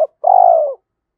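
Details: Spotted dove used as a decoy to prompt wild doves to coo quickly. A clipped note is followed by one sustained, low, burred coo that slowly falls, then silence.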